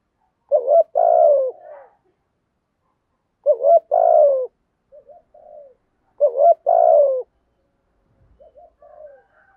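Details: Male and female spotted doves calling to stimulate other doves, kept for daily dove training; three low cooing phrases about three seconds apart, each a short coo, a long burred coo and a clipped final note, with softer faint coos between.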